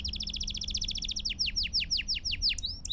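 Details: Belgian canary singing for training fledglings: a rapid, even trill of repeated short notes that shifts into a slower series of downward-sliding whistles, over light background noise.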